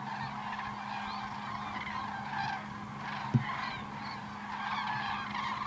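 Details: Cranes in flight, recorded in 2014: overlapping harmonic honking calls from several birds, some notes rising then falling, set against a steady low hum.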